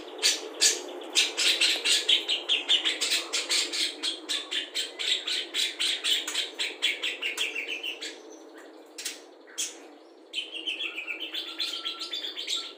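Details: Budgerigar performing mimicked songs of cucak jenggot, kapas tembak, lovebird ngekek and fighting house sparrows, kept to tutor other songbirds; a rapid train of sharp chirps, over two a second, breaks into a brief gap and then a twittering warble.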